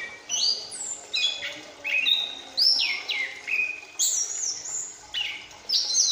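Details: Ringed young chestnut-capped thrush learning its full song, twittering actively after its spotted juvenile phase; high whistled sweeps fall from very high pitches in quick, varied phrases, nearly continuous, with short pauses between bursts.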